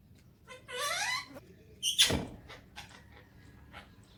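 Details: A talking pet Alexandrine parakeet in the morning gives a brief, rich, wavering talking-like phrase, then one sharp harsh squawk, with a few faint clicks after in a quiet room.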